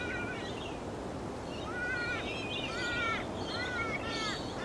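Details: Laughing kookaburra (Dacelo novaeguineae), call.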